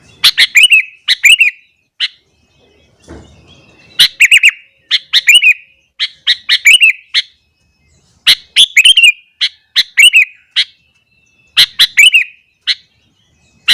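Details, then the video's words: Sooty-headed bulbul singing energetically in the morning, said to rouse other bulbuls: loud, bubbly chirped phrases of three to five rapid notes, repeated in bursts with short pauses between, plus a few single sharp chips. "burung kutilang gacor kesetanan yakin bikin tilang lain langsung naik emosi"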